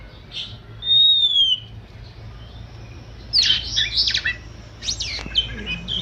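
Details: Oriental magpie-robin (kacer) 'manja' song: a single clear falling whistle, a pause, then bursts of scratchy, squeaky chattering notes over a low background rumble.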